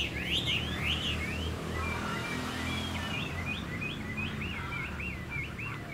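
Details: Caged Chinese hwamei under dark overcast skies singing a run of quick repeated slurred whistles, rising and falling notes in a fast series, fairly faint over a low background hum.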